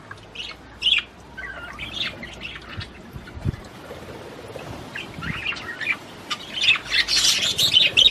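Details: Australian budgerigars singing to prompt mating, scattered short chirps and squeaks at first, building to a loud rapid chattering burst near the end over a low hum.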